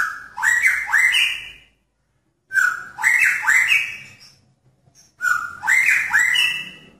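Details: Male magpie-robin in a pairing cage calling to draw a female's attention: three repeated phrases roughly every two and a half seconds, each a flat whistle followed by rapid rising, slurred whistles.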